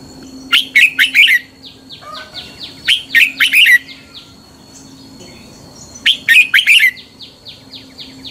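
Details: Red-whiskered bulbul fighting song used for morning singing training: three bursts of rapid warbled notes, with a steady series of repeated thin, high falling chirps from another bird between phrases.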